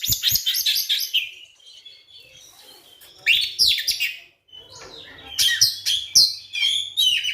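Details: Provoking song of a white-rumped shama, meant to spur other shamas to sing: fast whistled and warbled phrases, a quieter gap midway, then loud rapid chattering notes, with a faint low hum behind.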